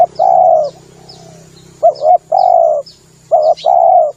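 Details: Mellow, hollow coos of a spotted dove recorded for luring, long even notes broken by a quick two-part note, against a low hum and scattered faint high chirps.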